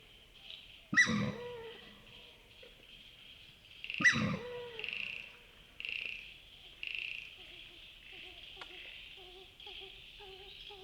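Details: Australasian swamphen at night by a wetland in Wollemi National Park, NSW, Australia, giving two loud, harsh, descending squealing grunts about three seconds apart over a steady night chorus of insects and frogs.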